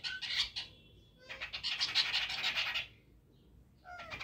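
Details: A flock of chestnut-tailed starlings in the early morning: a short squeaky burst, then a long rasping, buzzy chatter lasting over a second, a pause, and more squeaks at the end.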